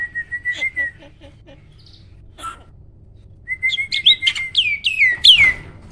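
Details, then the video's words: Caged jalak starling noted for roll, tembak and speed song: a level whistle with soft ticking, a quiet pause, then a run of sharply rising and falling whistled notes ending in a burst. "Burung jalak isian ISTIMEWAH!! selalu JUARA || Gacornya bukan main."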